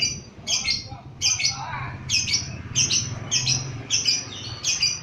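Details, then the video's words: Lively lovebird excited by a lure recording, giving harsh high double squawks at irregular intervals of about half a second to a second, with a soft low hum behind. "Love bird emosi pas u pancingan 100% ampuh"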